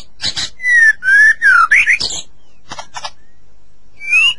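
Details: Captive-stimulating White-rumped shama song: a few harsh chips, then smooth drawn-out whistles, some falling, some rising, followed by a quick twisting phrase, a quiet gap with faint clicks and a final upslurred whistle.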